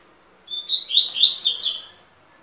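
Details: Double-collared seedeater singing a brief, high phrase: a thin whistled note leading into a rapid, bright twittering jumble of sweet notes, lasting about one and a half seconds against a quiet background.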